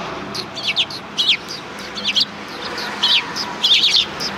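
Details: Small group of sparrows by a Tenmangu shrine on 13 December 2019: short, sharp chirps in clusters, several calling at once, over faint background noise.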